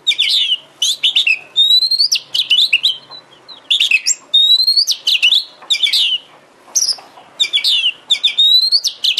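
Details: Oriental magpie-robin (kacer) song played as a lure so a kacer replies and opens its tail: continuous loud phrases of rising pure whistles mixed with sharp clipped chirps and falling slurs, barely pausing.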